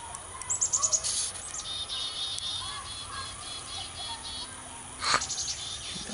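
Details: Noisy chickadee nestlings in a garden nesting box, with a nervous parent nearby about to feed them: a quick run of thin, high notes, then scattered softer chips and a sharp burst, over steady hiss.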